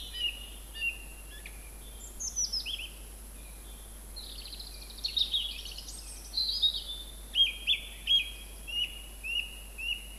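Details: Song thrush song recorded at Montbéliard in late winter 2024: a run of shrill whistles and scratchy notes, sweeping phrases then short repeated notes toward the end, over faint steady hiss.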